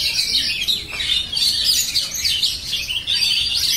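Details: Oriental magpie-robin singing continuously: a dense stream of high, fast chirps, trills and whistled notes with little pause, delivered steadily throughout.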